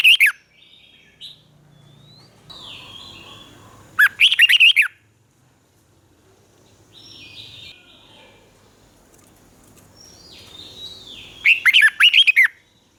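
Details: A caged red-whiskered bulbul in Thailand sings the southern master style, played to excite birds and train young ones. Three vigorous warbling phrases are spaced several seconds apart, with softer, thin whistles of other birds in between.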